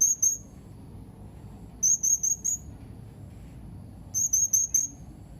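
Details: Blue-crowned hanging parrot (serindit), recorded 31 March 2021: thin, very high squeaky notes, two quick notes then two bursts of four, short and sharp, over a low steady background hum.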